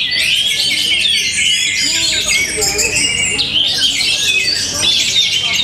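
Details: Orange-headed thrush, a kept bird in Tabanan, Bali, Indonesia, pouring out loud, rapid high-pitched twittering and whistled sweeps, with a few softer, lower curved notes scattered through the busy stream.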